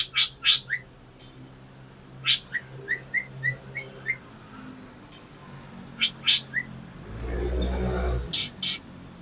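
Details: Black drongo calling repeatedly: pairs of loud rasping notes, each often followed by a brief rising whistled chip, in irregular bursts. A rumbling low noise swells for about a second near the end, with a steady low hum throughout.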